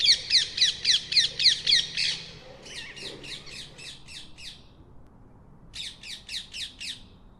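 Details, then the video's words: Rose-ringed parakeet giving rapid, harsh screeching notes, about four per second, in a run of eight, then a softer series and a short final burst after a pause; faint low background hum. "Call of Rose ringed parakeet"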